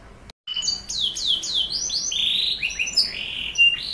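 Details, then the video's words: Canary song used as a lure to prompt young canaries to sing: bright, fast downward-sweeping whistled notes in quick series, then buzzier rolling phrases and a sharp high note near the end, over faint low background hiss. "PANCINGAN KENARI muda AGAR cepat bunyi gacor"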